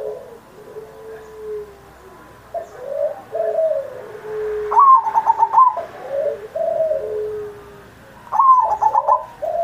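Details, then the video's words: Singing zebra dove (perkutut manggung) used to lure other doves into song, Indonesian Independence Day recording. Soft low coos lead into two bursts of rapid stammering coos, each trailing into mellow falling notes. "Perkutut Masteran Manggung Gacor Mancing Burung Lain"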